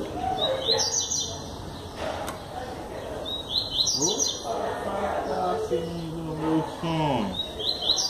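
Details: Yellow-bellied seedeater in full song at João Pessoa, Paraíba, Brazil, 21 September 2017: three high, fast chattering phrases with buzzy descending notes, mixed with lower sliding whistles from other birds and a sharp click.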